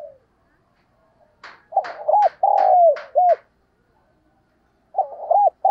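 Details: Spotted dove voice meant to stimulate other doves: a phrase of arched coos and one long falling coo, several sharp clicks over it, then a second phrase beginning near the end.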